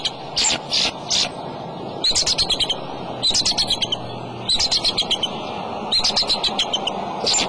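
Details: Male bald eagle at the egg-filled nest on a March afternoon: a few separate high squeals open, followed by several runs of rapid shrill chattering notes repeated every second or so.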